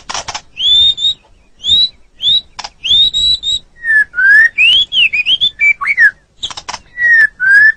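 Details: White-rumped shama, murai batu, caged, singing pure sustained whistles, some rising and some falling, separated by short dry clicks and pauses.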